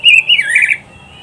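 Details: Loud oriental magpie-robin phrase meant for training pet birds: a strained, buzzy whistle dipping then rising again, lasting under a second, followed by quiet.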